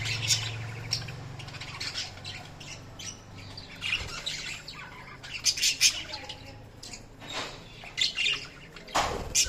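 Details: Budgerigars chirping continuously, with scratchy warbles and sharp squeaks in irregular bursts throughout, over a low background hum.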